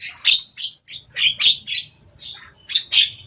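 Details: Playing on top of a cage, a Javan myna gives loud, grating, buzzy chirps in irregular bursts, some notes rasping and broad, with brief pauses between clusters.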